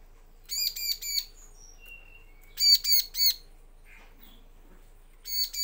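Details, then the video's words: Bar-winged prinia song used as a lure to make males and females answer: bursts of three harsh, buzzy chirps repeated in quick succession, with a faint short whistle between bursts. "Pancingan suara ciblek agar gacor jantan betina langsung nyaut"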